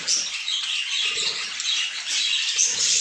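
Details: Many budgerigars chattering together in a dense, continuous chorus of high warbles, chirps and squeaks that rise and fall in loudness, with no pauses and no other clear sounds.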